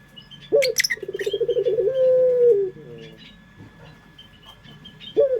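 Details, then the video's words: Pelung song of a local puter dove used as a lure: one low coo opening with a quick throb, then rapid pulsing into a drawn-out steady note that fades. A brief high chirp comes before it and another coo starts at the end. "Pancingan Suara Burung Puter pelung paling dicari bersuara merdu"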